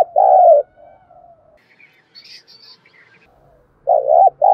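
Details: Decoy spotted dove cooing to train freshly caught wild birds: one loud, drawn-out low coo, faint soft notes and thin chirps, then a new pair of short coos starting near the end.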